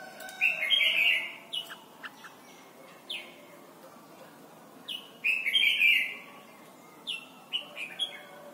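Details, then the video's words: Training song of a Red-whiskered bulbul from Thailand for young birds: two loud, rippling warbled phrases separated by crisp downslurred whistles, a lively repeated pattern of short notes and richer bursts. "นกปรอดหัวจุก Thailand Bird: เสียงดีมาก (สอนลูกไก่) เต็ม - ฝึกร้องเพลงร้องเพลงยอดหรือเสียงบิด"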